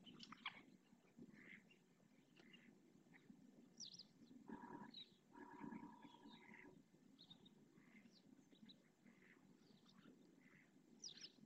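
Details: At the Riet Vell reserve lagoon in the Ebro Delta, purple swamphen parents call to their three chicks at feeding time: two nasal, honking calls of one to two seconds each, amid scattered faint chirps and a steady low background hum.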